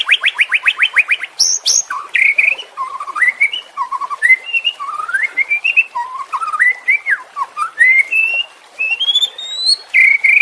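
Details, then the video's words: Caged-bird training song of the White-rumped shama, for birds that have stopped singing: a fast rattle of repeated notes, then a long flowing run of rising and falling whistles, slurs and trills without break. "Masteran murai batu anti zonk cocok untuk murai batu yang macet bunyi"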